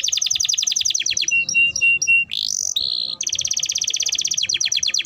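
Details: Timbrado canary singing: fast runs of high, descending chirped notes, then short whistled slurs, a rising sweep and a steady buzzy trill, ending in rapid repeated chirps.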